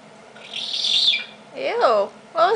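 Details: Young female eclectus parrot, a pet indoors, imitating its squeaky toy: a harsh, hissing high squeak, then two quick arched, nasal squeaky notes and a third starting as it ends, with a person speaking softly nearby.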